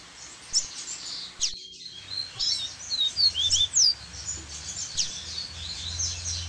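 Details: Double-collared seedeaters singing varied songs near a waterfall: a lively string of short high twittered notes and slurred whistles, fairly continuous, with rushing water and a low hum.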